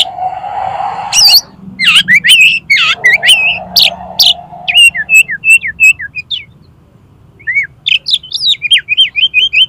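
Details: Oriental magpie-robin delivering energetic konslet song, used to get a rival to fan its tail: loud, scratchy high bursts and sweeping whistles, then rhythmic runs of repeated bright chirps, with a short pause before the series resumes.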